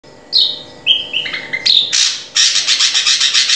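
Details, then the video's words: Drongo song played to train a captive bird to sing: clear whistled slurred notes, then a run of rapid harsh buzzy bursts repeated about five times a second. "Masteran Burung Srigunting Agar Cepat Gacor"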